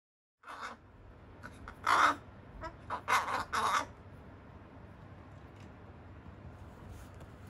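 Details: Young captive carrion crow with a changing, baby-like voice, recorded 8 September 2020 while conversing with its keeper; a few hoarse, broadband caws come in short bursts, two louder ones near the middle, over a low steady background hum.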